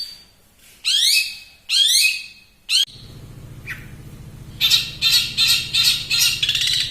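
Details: Long-tailed shrike, a champion bird, in fast dense song: harsh upward-sweeping high notes in quick pairs, a brief sharp note, then a run of rapid buzzy high bursts over a steady low hum.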